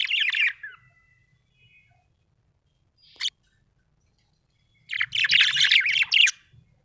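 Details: Budgerigar, described as happy, giving a short scratchy warble, a single sharp chip, then a longer burst of buzzy chattering notes after a pause.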